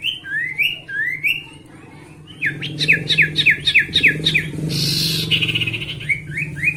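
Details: Sooty-headed bulbul, a kept bird, sings a lure song to provoke rivals into singing: rising whistled slurs, then a fast run of sharp descending chirps, a brief rushing noise, and more whistled slurs over a low background hum.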